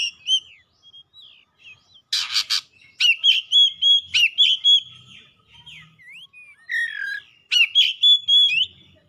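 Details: Excited Oriental magpie-robin (kacer) in full song, unloading its learned imitations: a harsh rasping burst, then a rapid, fairly even string of clear whistled notes, wavy slurs and sharp chips, ending with another burst.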